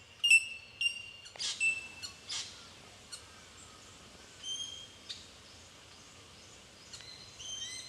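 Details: Bell miners in Victoria, Australia, March 2011, giving clear metallic tink notes from several birds, interspersed with harsher scratchy bursts and thin rising whistles, set against a quiet steady hiss.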